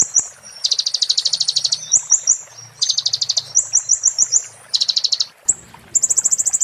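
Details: Purple-throated sunbird (konin) in the "muntah beling" song style, a tutor recording for magpie-robins and shamas: very high, rapid buzzy trills alternating with thin sliding whistles, bursts about a second long, with a faint low hum beneath.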